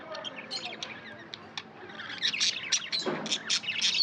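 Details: Pet budgerigars giving scattered high chirps that build into a livelier run of sharp, rapid tweets toward the end, with a brief lower rustle mid-way.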